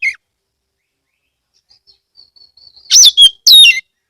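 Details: Oriental magpie-robin from Kebumen, Central Java, singing a loud lure song meant to set other magpie-robins singing: a short note, then near-silence with faint high ticks, then two loud, sharp, high whistled phrases sliding downward.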